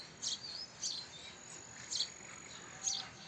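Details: House sparrow giving four short, high chirps spaced roughly a second apart, each a brief bright note, over a quiet steady background hiss.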